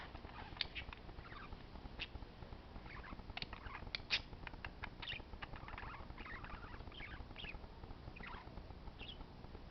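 Parakeets chatter in a steady stream of short, sharp chirps and squeaks, several birds overlapping, over a constant low hum.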